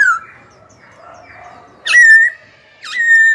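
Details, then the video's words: Caged young Black-throated laughingthrush singing to rouse rival birds and tutor young ones. The song holds long, steady, loud whistled notes, each starting with a swoop. Three whistles are spaced about a second apart, with quiet warbling between them. "KHiếu tơ hót dìu bổi cực hay. Khiếu hót hay kích bổi đấu, luyện giọng bổi, chim non."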